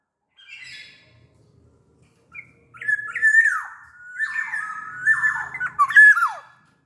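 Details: From Sumbawa, a black-naped oriole: a faint squawk, then a long run of connected mellow whistles with slurred, wavering notes ending in a steep falling whistle.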